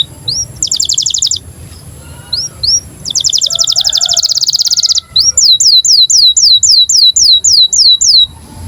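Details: Canary in breeding condition, song for training young canaries: short rising whistles alternating with very fast, high, dense trills, then a series of evenly spaced swooping whistled notes about twice per second.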